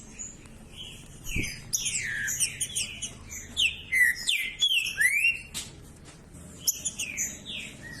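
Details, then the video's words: Green-winged saltator in 'macheando' style, a song played to excite other saltators into singing: dense series of slurred, descending and rising whistled notes overlapping in quick succession, with sharp high chips and a low background hum. "Trinca ferro Macheando com Trinca ferro cantando"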